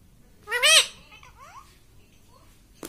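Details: A pet parrot voices "mummy" once, a loud arched nasal syllable, followed by faint soft whistles and a click at the end.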